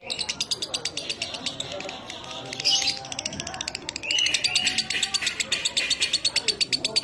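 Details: Lovebird of the 'minor kering' type on a training recording for pet lovebirds, 'dobelan' style: continuous rapid high chirping with brief whistled slurs, pulses quickening toward the end, faint background sound beneath.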